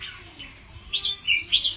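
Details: Wild-caught red-whiskered bulbul competing in a fight, wings spread; a few short bright chirps rise and fall in quick succession near the end, over quiet background.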